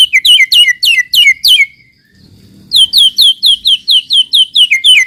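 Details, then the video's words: Shama lure recording for prompting raw shamas to sing: sharp, descending whistled notes repeated about four times a second in two runs, broken by a short quiet pause. "pancingan muraibatu yang efektif untuk murai bahan cepat bunyi"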